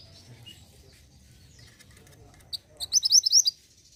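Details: Mantenan gunung song meant to spur caged birds into singing: after a few seconds of faint background rumble, a single sharp note, then a quick burst of high, rapid chirps.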